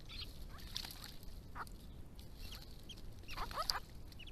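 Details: Grey-crowned Babbler, from a resident family group visiting water to drink and bathe in hot weather in Victoria, Australia, giving a few scattered squeaky, chattering notes, bunched near the end, over a steady low rumble of background noise.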